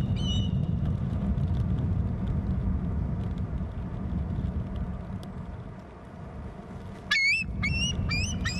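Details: Two eagles give alarm calls, high, thin whistled notes in quick rising bursts, a brief one at the start and a run near the end, over a steady low rumble.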